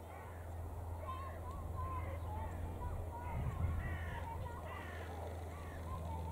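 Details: Several red kites perched in a tree at feeding time at a red kite feeding centre in dull weather; thin wavering whistled calls, repeated irregularly and overlapping, over a steady low hum and wind.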